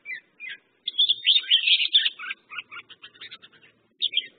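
A Red-whiskered Bulbul gives a bright, bubbly run of chirping notes, then a string of quick clipped phrases, with no other sounds.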